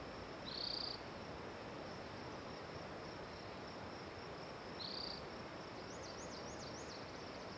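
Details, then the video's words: Spotted towhee song: two short, buzzy, rapid trills about four seconds apart, each roughly half a second long, then faint wavy whistles, with a continuous high-pitched hum running underneath. "Spotted Towhee Singing A Song"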